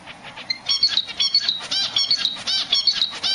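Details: Zebra finch calling from its nest for its mate: rapid nasal, harmonic-rich chirps, each a short stacked buzz with a bright high tone, about twelve in quick irregular succession with no pause.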